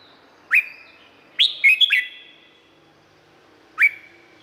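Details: Thai red-whiskered bulbul, recording for training birds or making them lively: a sharp rising whistle, a quick bubbly four-note phrase, then another lone upward whistle, each echoing afterwards.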